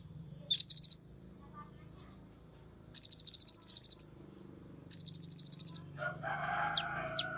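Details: Sunbird (Kolibri Ninja) singing excitedly, used as a lure to prompt other birds, from green-plumaged to metallic ones, to sing: rapid high buzzy trill bursts repeated every two seconds, then two sharp down-slurred whistles over low hum.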